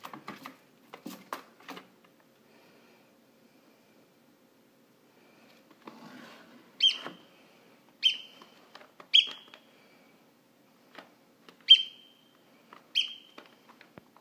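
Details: A rescued Eurasian oystercatcher (Haematopus ostralegus) chick calling for its parents gives five thin, high peeps, each a sharp falling note with a brief ringing tail, spaced one to two seconds apart, after scuffing and handling noises.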